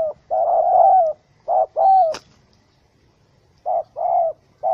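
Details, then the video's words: Trapped wild spotted dove, angry in a small rope snare, 04/07/2017. A drawn-out hoarse coo is followed by clipped shorter notes, a sharp click, a pause, then another cluster of rough coos. "Sound Of Angry, Wild Bird Trap With Small Rope: Birds Spotted dove(Spilopelia chinensis)"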